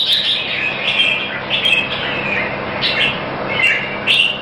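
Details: Red-whiskered bulbul singing at a contest in Singapore: clear, fluty slurred notes in short phrases roughly every second, partly masked by steady hiss.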